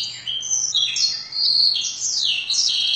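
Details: Canary singing a song filled with learned blackthroat phrases: a continuous high twittering warble with rolling trills and sliding notes, sustained without pause.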